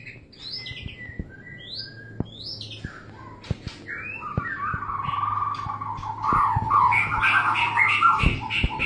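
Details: White-rumped shama during mating: scattered high whistles over soft clicks, building into a loud, buzzy, continuous chatter that lasts to the end.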